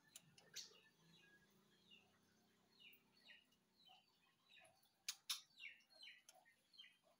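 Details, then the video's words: White-rumped shama singing: a loose series of short whistled and slurred notes at shifting pitches, spaced unevenly over several seconds, with two sharp loud clicks midway and a faint low hum underneath. "murai batu"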